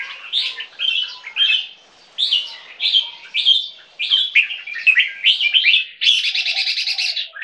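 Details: Two-year-old captive Asian black bulbul crossed with red-whiskered bulbul, from champion Thai competition stock, giving a run of lively chirped and warbled phrases that ends in a harsher, buzzy rattling stretch.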